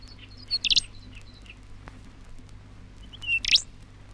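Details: A Rufous Songlark (Cincloramphus mathewsi) recorded in Australia, from a 1968 vinyl record, gives two brief bursts of sharp, squeaky, high notes about three seconds apart, with soft chirps between, over a low steady hum.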